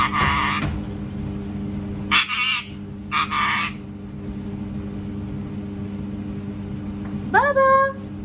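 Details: Indoor parrot imitating a cat: three rough, noisy squawks early on, a long quiet gap, then a short, nasal, meow-like call that rises and falls, over a constant low hum.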